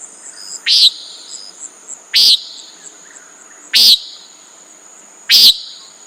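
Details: Common nighthawk giving four loud, short, buzzy nasal calls, evenly spaced about one and a half seconds apart, against a continuous high-pitched insect hum.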